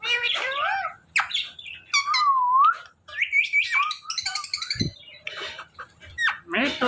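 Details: Pet parrot vocalizing up close: whistled glides, a long wavering whistle, and squeaky speech-like syllables in quick bursts with short pauses between them.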